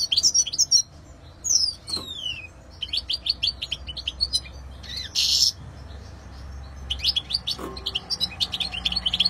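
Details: A European goldfinch sings high twittering phrases: downslurred whistles, rows of quick chirps, one loud harsh buzzy note midway, then renewed rapid tinkling notes.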